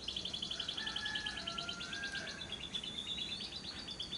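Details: Lovebird lure recording in the long ngekek trill style, meant to prompt lovebirds to sing by day and night: a fast, even run of high buzzy pulses, with a thin whistled tone lower down and a low background hum.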